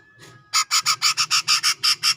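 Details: Grey-cheeked bulbul from Sumatran tropical forest around Medan, ngepik style: a fast, steady run of loud, raspy, rasping notes, about five per second, after a faint opening note.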